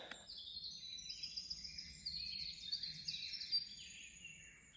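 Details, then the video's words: Winter wren singing in the morning near a trail shelter on the Appalachian Trail, as it habitually does around 4:30–5 am: a long, rapid, unbroken cascade of high tinkling trills and twittering notes over a faint low hum. "Ce que vous venez d'entendre, c'est le troglodyte des forêts."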